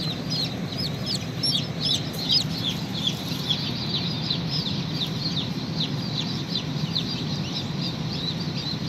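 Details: Chick breaking out of its shell: dense run of shrill, falling peeps, roughly two per second, steady throughout over a persistent low rumble.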